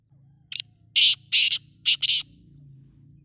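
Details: Black francolin (teetar), wild, Pakistan: harsh, grating bursts, a short thin note, then two loud rasping notes, a pause and two more in quick succession, over a low steady hum.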